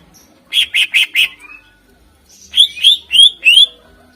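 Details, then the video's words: Greater green leafbird (cucak ijo) lure song for contest birds: four quick, evenly spaced chirping notes, a soft rising slur, then after a pause four louder ringing upslurred whistles in brisk succession. "Suara Full Cucak Ijo Gacor Ampuh Untk Pancingan Burung Kontes"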